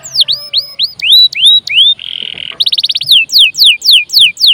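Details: Energetic canary lure song meant to make other birds sing: upward-curving whistled notes, a brief buzzy rattle, a fast burst of chips, then repeated loud descending whistles.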